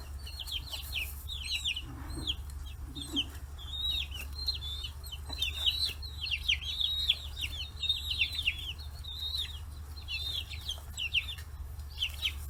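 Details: Free-range chicks, 40 days old, clustered on fish heads in Hiroshima Prefecture; a long, busy chorus of high wavering peeps and trills from many birds, a few low notes, and an underlying hum.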